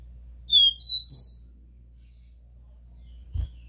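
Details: Copper seedeater song of the pure 'Dó Ré Mi' style, used to stimulate a captive caboclinho: two pure descending whistles then a higher buzzy note, followed by near silence, low hum and a faint knock.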